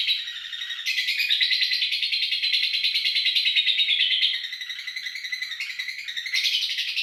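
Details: A long ngekek trill from a lovebird, used to train other birds to sing along: unbroken, fast, buzzy high chatter running for about seven seconds, dipping briefly in volume midway before surging again.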